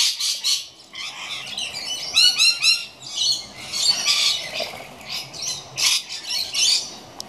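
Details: Rainbow lorikeets squawking, with a run of quick rhythmic chattering notes and loud grating shrieks from several birds at once.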